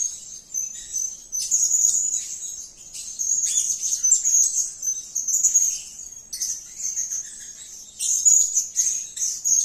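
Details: Blue-crowned hanging parrot calling energetically: thin, very high, shrill twittering held in long runs of one to two seconds with short breaks, rising to sharper bursts near the end.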